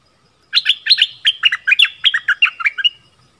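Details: Orange-headed thrush song for luring wild birds and training young birds, one sustained phrase of about twelve bright, bouncing notes alternating high and low, sung rapidly and evenly over roughly two and a half seconds.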